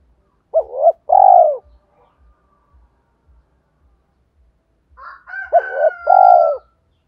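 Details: Spotted dove lure coo for drawing in wild doves: a two-part coo, a short note then a longer falling one, followed after a pause by faint higher notes, a drawn-out whistled tone and another low coo.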